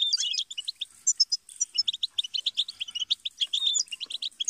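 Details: Goldfinch song used to teach and motivate songbirds, a fast stream of bright tinkling chirps and quick trills, dense high twitter for over four seconds with only brief pauses, clean background.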